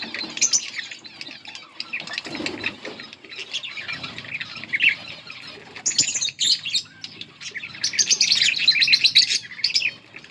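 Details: Two yellow budgerigars chatter on and off with scratchy warbles and squawky chirps, the chorus swelling into a louder run of high twitters near the end.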